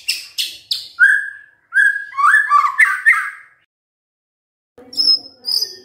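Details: White-rumped shama singing vigorously, used to prompt silent shamas to sing: quick harsh chips, two clear level whistles, then a jumbled warbling phrase, a pause and a couple of high thin notes.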